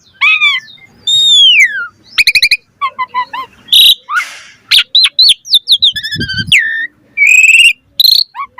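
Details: Varied Asian pied starling song mixing falling and rising whistles, rattling stuttered notes, harsh buzzy bursts and clear fluting tones, phrases following one another quickly with short pauses.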